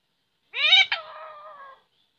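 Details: Parrot speaking a single drawn-out word: a loud rising-falling onset, a brief break, then a steady, fading tail lasting about a second, in a quiet setting.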